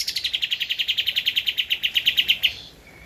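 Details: Javan white-eye used as a master recording for training cage birds: a rapid, even series of about twenty high, ringing notes in two and a half seconds, then silence.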